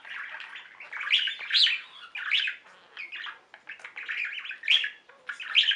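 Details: Softer budgie singing from a pet flock: chirps, twittering, and scratchy warbled notes in loose, uneven phrases.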